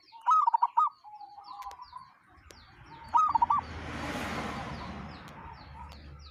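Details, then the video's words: Strange call of a local wild zebra dove: short bursts of quick rolled cooing notes, each repeated after a soft level coo, with a rising wash of broad noise in the background. "Perkutut lokal suara aneh"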